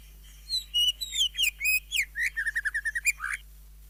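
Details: Greater green leafbird song, full of isian and jamtrok. A lively, continuous run of high whistled slurs, then a fast string of short, evenly spaced notes ending in a rising flourish.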